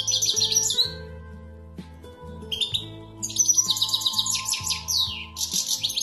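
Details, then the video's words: European goldfinch singing: rapid bursts of high, tinkling twitters and buzzy trills broken by short pauses, heard over steady low musical tones and a sustained melody. "щегол поет"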